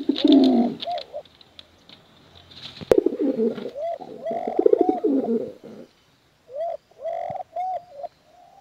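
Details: Male and female pigeons cooing for luring squabs; a strong rolling coo, a loud click, a mumbled run of coos, then short separate rising notes and silence.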